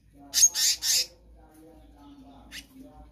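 Black-naped monarch giving three quick, harsh, rasping notes in a row, then one more after a short pause, over a faint low hum.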